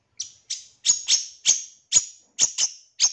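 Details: Long-tailed shrike song used as training material for other birds: sharp, harsh high chirps repeated in a steady series about every third of a second, some notes doubled, no other sounds.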